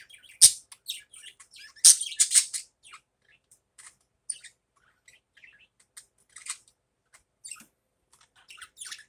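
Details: Budgerigars in the morning giving a few loud sharp chirps early on, then fainter scattered high twitters and warbles.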